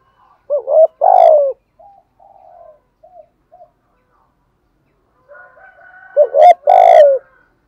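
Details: Spotted dove lure cooing in the 'thổ gù thúc' voice, for spurring other doves to coo: a low double note and long coo, soft faint coos between, then another full phrase with a sharp click.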